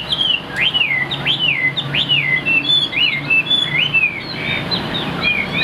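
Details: Caged Chinese hwamei of strong build with a fig-leaf-shaped tail, kept as a songbird and singing high on its perch: rapid, varied whistled phrases of swooping rising and falling notes, continuous and bright, over faint low background hum.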